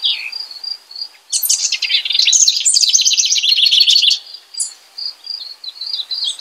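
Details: After a few soft notes, a house wren bursts into a rich, bubbly, rattling song lasting nearly three seconds, followed by quieter chirps and a steady high pulsed background.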